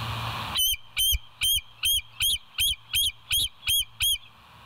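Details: Live nature cam at the West End bald eagle nest, morning of 26 September 2023, 07:01; after a brief hum, ten loud, piercing whistled notes follow evenly, between two and three a second, each with a slight upward inflection.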